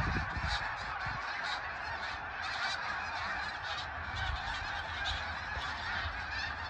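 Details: Snow geese, migrating in flocks said to number 100,000, keep up a dense, continuous babble of high barking honks, the many voices blurring into one sustained roar over the whole stretch.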